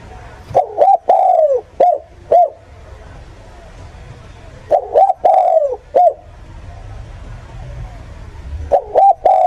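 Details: Spotted dove cooing, used as a lure by bird catchers: repeated phrases of low hollow notes, a double coo, a long falling coo and two short closing coos, about every four seconds over a low background hum.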